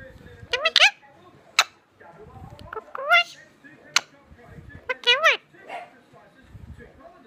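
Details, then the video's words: Pet parrot in India reacting while another parrot talks: harsh, nasal squawks and speech-like bursts with stacked harmonics, scattered across the recording between quiet gaps. "Reaction of my parrot when another parrot is talking"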